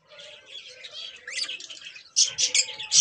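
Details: A pair of budgerigars, kept as pets, chattering in soft warbling twitters that grow louder and harsher near the end, with bright high chirps in quick bursts.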